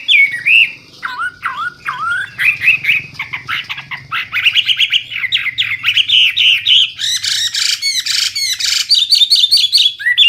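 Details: Hwamei (wambi) singing hard in full isian style, loud and clear: low swooping whistles, then quick chattering runs building to bursts of high, sharp notes and bright repeated phrases.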